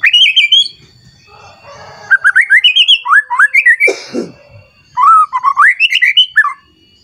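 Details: White-rumped shama, agitated, singing to a rival: quick whistled phrases, a loud harsh downward rasp, then a fast rhythmic run of rising, looping whistles.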